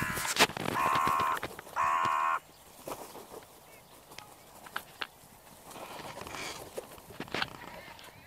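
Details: Crows on an evening, giving two drawn-out, nasal harmonic caws of about half a second each, then quieter scattered chirps and small clicks in the background.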